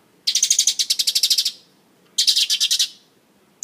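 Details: Mongolian lark on stage, singing and dancing: two bursts of fast, buzzy, high-pitched trills, the first about a second long, the second shorter, separated by a quiet gap.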